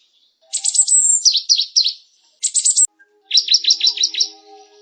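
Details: Cinereous tit song in three bursts. A dense, high, sharp trill leads into rapid descending chatter notes, with brief silences between phrases. Faint low hum is audible underneath.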